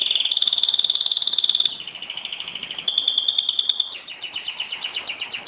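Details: Home canary in Jeddah, recorded 26 September 2008, giving a loud rapid trill of high pulses, then a softer lower roll and another run that breaks into slower repeated chirps.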